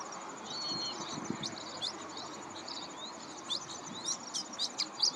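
Pin-tailed Whydah giving thin, squeaky high chirps and sharp clicks in irregular bursts, quickening toward the end, over a steady high insect whine.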